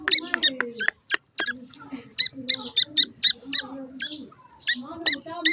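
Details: Grey francolin chicks, freshly hatched, giving a fast series of sharp high peeps about three or four a second, with low rustling and faint murmured speech underneath.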